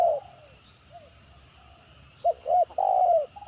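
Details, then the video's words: Spotted dove in the stammering 'gagap' style: a faint falling coo, a pause, then short choppy notes running into a long, slightly wavering coo near the end, over a persistent tonal hum. "Mendengar Suara Tekukur Gagap Ini Burung Lain Pasti Responnya Gacor"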